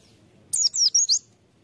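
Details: Brief high twitter from a white-eye used as a lure bird: three or four quick sliding chirps run together, then silence.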